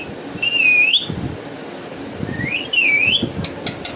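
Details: A parrot whistling two upward-sweeping, slightly wavering notes about two seconds apart, each ending in a sharp upward flick, with faint clicks and low room noise between them.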